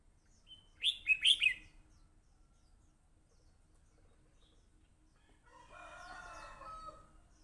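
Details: Red-whiskered bulbul in fighting mood: a quick run of four loud, bright chirped notes, then a long pause and a softer, rippling warbled phrase near the end over faint low background hiss.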